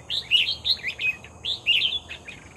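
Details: Lively red-whiskered bulbul caught by lure, pouring out two quick bursts of rich, liquid, rolling warbles, each a tight cluster of fluty notes, loud and clear over faint hiss.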